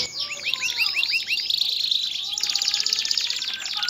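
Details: Singing male canary urging a female toward mating and nest building; a run of repeated upswept whistled notes gives way to a rapid, buzzy rolling trill.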